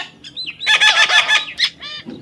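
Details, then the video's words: Parrot in a field, with soft wavering whistles leading into a dense series of harsh, pulsed harmonic syllables, then a sharp upward squeak and a short trailing harmonic call. "funny talking parrot compliment.Parrot Talking"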